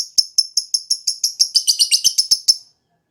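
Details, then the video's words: Lure song of a captive lovebird to coax a bird that seldom sings: a series of piercing high chirps about five per second that thicken into a buzzier, doubled chatter before stopping abruptly. "LOVEBIRD PANCINGAN COCOK UNTUK YANG MALAS BUNYI"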